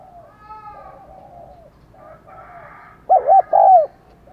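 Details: Spotted dove kept as a decoy for luring wild doves, giving faint, low, distant-sounding coos before one loud close phrase of two short hoots and a drawn-out, falling coo near the end.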